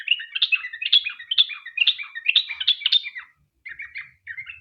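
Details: Lure recording of a sooty-headed bulbul giving a long rapid 'ropel' song to prompt others to answer: lively bubbling chirps repeated about twice a second, high and low notes alternating, then a brief pause before softer short phrases.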